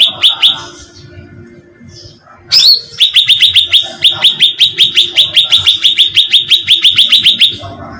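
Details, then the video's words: Cucak ranting bulbul bait recording to lure birds: a few chirps, a shrill squeak, then a long unbroken series of rapid, bright, downward-slurred chips repeated several times a second. "suara pancingan cucak ranting"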